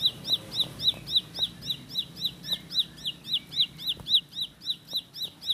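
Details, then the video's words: Ciblek pari, or bar-winged prinia, singing a rapid rolled series of bright, high, hooked notes in an even rhythm, with a few faint clicks beneath. "Tembakan Roll Spead Ciblek Lagu Full Kolibri // Ciblek Sawah/Ciblek Pari"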